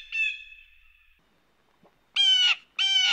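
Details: Blue jay giving its mating call: a long, level nasal note fading out, then a pause and two loud, harsh, rasping jay notes in quick succession, each about a third of a second.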